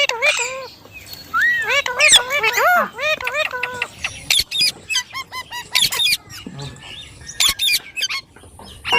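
A rose-ringed parakeet mimics speech in a run of curving, rising-and-falling voiced phrases, followed by sharp, harsh squawks and clicks.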